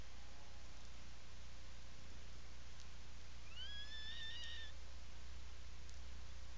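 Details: Atlantic puffin in its nesting burrow on Seal Island National Wildlife Refuge, Maine, July 17, 2018, afternoon; a single rising, slurred, tonal call with harmonics lasting about a second, over a steady low hum.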